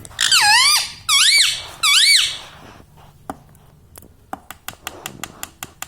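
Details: Pet parrot saying "mummy papa": three loud arching, strongly harmonic squawky syllables in the first two seconds, then a quiet series of sharp clicks repeated indoors.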